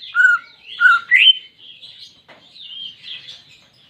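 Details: Greater green leafbird, caged, singing as stimulation for a quiet bird: three loud whistles, the last sharply rising, then a softer stretch of high, wavering twitter.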